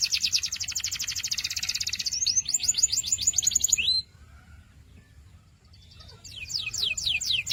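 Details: Singing canary: a loud, rapid pulsed trill that shifts into a slower series of slurred whistles, a short quiet gap, then another burst of quick descending strokes.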